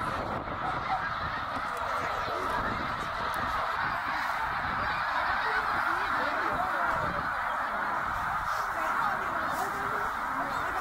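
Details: Massed snow geese migrating back north through Middle Creek, Pennsylvania, in 2023, tens of thousands in one flock: an unbroken wall of overlapping yelping honks, thick and steady throughout.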